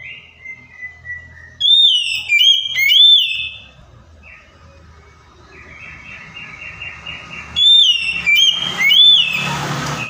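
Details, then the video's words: Oriental magpie-robin song used to provoke a quiet bird: loud ringing whistles around two seconds in, a softer rattling trill in the middle, and another loud whistled burst with rough noisy background near the end. "KACER MACET, STRES LANGSUNG NYAUT DENGAR PANCINGAN KACER INI!"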